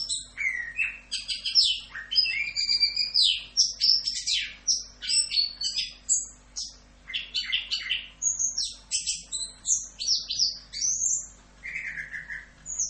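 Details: Orange-headed thrush song in the full 'Rock'n Roll' style used as a masteran tutor recording for cagebirds: a dense, continuous stream of varied high whistles, sharp chirps and buzzy rising and falling phrases with hardly any pauses, with a low steady hum beneath.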